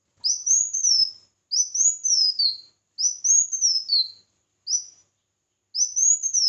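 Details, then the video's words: Red-whiskered bulbul singing in competition: five whistled phrases in quick succession, each climbing then falling, several ending on a lower slurred note, in quiet surroundings. "Chào Mào Hót Đấu"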